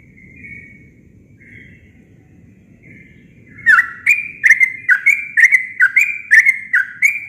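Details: Unmixed natural song of a sooty-headed bulbul: soft level whistles at first, then a loud burst of about ten quick chirped notes, each a dipping slur, in steady succession.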